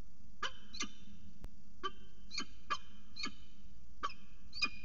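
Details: Northern goshawks mating on the edge of a nest at a water tower in Axel, 5 February 2018: harsh, ringing notes given mostly in pairs, about eight in five seconds, over low steady hum.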